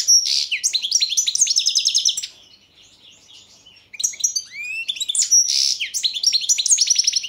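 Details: European goldfinch (Carduelis carduelis balcanica), in a 2022 competition song recording, sings a fast, twittering song of bright tinkling notes and buzzy trills, pausing briefly before resuming; no other sounds.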